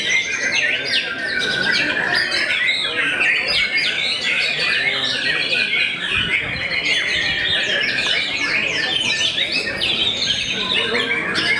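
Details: Long, unbroken song of a white-rumped shama famed for subduing rival birds: a dense torrent of varied whistles, chattering trills and sharp chips, full and loud throughout.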